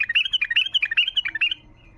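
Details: Wild bulbul tayyariyat, a call-out song to start quiet bulbuls singing: rapid chattering, slightly harsh whistled notes tumbling for about 1.5 seconds before falling silent.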